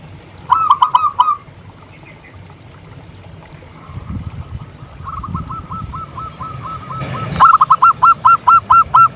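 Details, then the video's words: Singing local zebra dove, meant to trigger other doves, utters quick bursts of clipped, hollow cooing notes, each run of six to eight. Between runs come softer, faster trills, with light low rumbling and a brief click. "Suara Perkutut Gacor"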